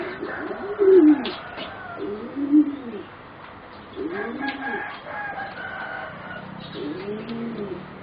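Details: Four juvenile singing zebra doves bred for competition, roughly 3.5 to 4 months of age; gentle bowed coos come in separated phrases, two early, then another pair and a final phrase after a pause, with low steady hum.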